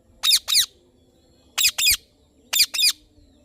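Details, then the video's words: Indian ringneck parrot repeating loud, grating double screeches, three pairs spaced about a second apart, each note sharp and downward-sweeping, with a faint steady hum beneath. "Parrot Chirping Sounds / Voice"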